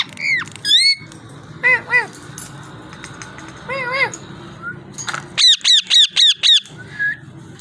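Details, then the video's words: Parrot producing varied sounds: a falling whistle, paired wavering calls, a harsh burst, then five quick looping whistles in a row and a final short note. "Amazing parrot talking and voice"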